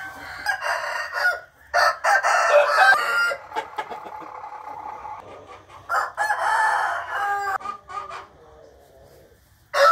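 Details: Morning crowing of a rooster: a long, rich, harmonic crow lasting several seconds, a shorter second crow later, and scattered clucks between them.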